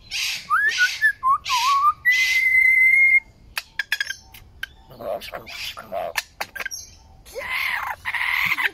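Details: A superb lyrebird in Australia in 2019 sings loud, sliding whistles and a long steady whistled note, then a run of sharp clicks, lower churring bursts and harsh, rasping phrases.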